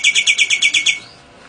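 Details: Nias hill myna imitating lovebird and canary: eight loud, clipped, chattering chirps in quick regular succession, then quiet.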